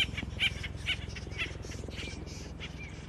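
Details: Noisy Acorn woodpecker (Melanerpes formicivorus) family with young about to fledge, urban nature area along the American River: a few loud, harsh squawking notes at the start, then softer scratchy calls trailing off above a constant low drone.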